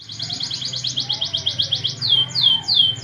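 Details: Fighting canary song used as a training recording: a fast series of buzzy rising notes repeated about three per second, then slower sweeping whistles near the end, over a steady low hum.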